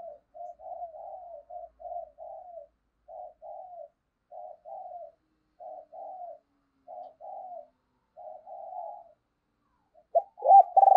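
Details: Decoy spotted dove giving urging calls to stir other doves to coo: soft, purring coo phrases repeated steadily about every second for ten seconds, ending with a louder, sharper coo burst.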